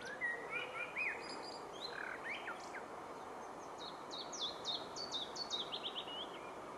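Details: A mixed singer on 16 June 2015, looking more willow warbler than chiffchaff, opens with soft, sweet, slurred notes, then switches to high, evenly spaced chiffchaff-like notes repeated rapidly, over a steady background hiss. It also gave weak, nasal "teoo" sounds.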